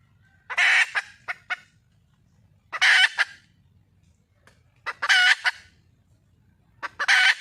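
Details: A wild red junglefowl hen calls for a male: four loud, grating squawks roughly every two seconds, each trailed by a couple of short clucks, over a low steady rumble.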